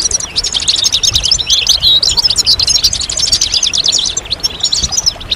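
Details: A loud, dense European goldfinch chorus of mating and readiness calls, intended to stimulate males. Rapid metallic chirps and rolling trills pile up continuously, louder in the middle.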